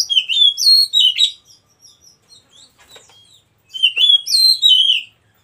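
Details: Oriental magpie-robin, a white-breasted kacer from a breeding farm, pouring out loud, fluid whistled phrases with rapid trills and slurs. A short pause of soft chirps separates two bursts of song.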